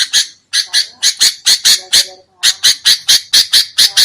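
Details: Sooty-headed bulbul calling noisily, from a lure recording used for trapping: a fast, rasping chatter of harsh squawks, about two per second, with one brief pause midway.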